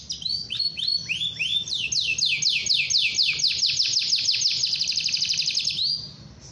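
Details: Long rolling canary song intended to make other canaries sing: accelerating series of loud downward-swept notes, repeated about four per second, forming one continuous cascade.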